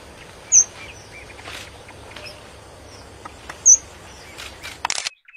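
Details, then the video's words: Wild red avadavats chirping in open country: two sharp, very high chirps about three seconds apart, with faint softer calls between, against quiet background hiss, ending in handling noise. "red avadavat birds chirping in the wild"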